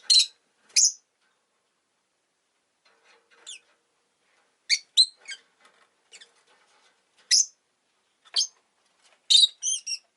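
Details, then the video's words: Pet rosy-faced lovebirds, two of them huddled at the entrance, trade loud shrill chirps in irregular bursts, some single, some in fast runs of three or four notes. "Lovebird Chirping Sounds"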